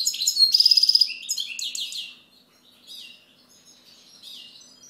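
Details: A European goldfinch delivers a loud burst of rapid twitters and a fast machine-like trill, then trails off into softer, thinner chirps and a quiet twittering close.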